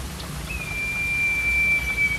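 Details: Common iora (cipoh), a master recording in the energetic cicok style for training young captive songbirds: one long, steady, high whistle held almost two seconds at an even pitch, with soft rain-like hiss behind.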